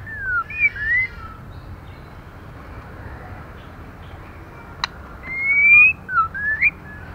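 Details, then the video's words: Female white-rumped shama whistling to stimulate males: soft slurred whistles open the clip, a quiet gap with a single click follows, then a long rising whistle and short looping notes, against faint background noise. "Lửa mái kích trống hay nhất"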